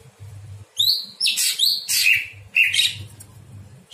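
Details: Greater green leafbird night song, used as training for other birds: high descending whistles mixed with loud harsh rasping bursts in spaced phrases over a low hum.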